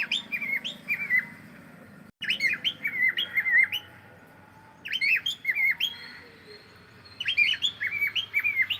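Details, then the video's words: While playing, a cockatiel repeats whistled warbling phrases of swooping, down-then-up notes, four bursts spread across nine seconds with brief quiet gaps and a faint low hum behind. "Cute Cockatiel singing and sound and playing"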